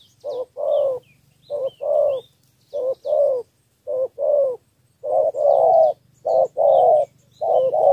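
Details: Spotted dove from Cà Mau, Vietnam, cooing in the three-note 'thổ' style for luring wild doves; about eight paired coos at regular spacing, faint high chirps from other birds throughout.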